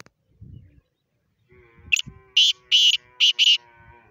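Black francolin giving a loud, harsh phrase of about five grating, rasping notes in quick rhythm, with faint low murmurs before it.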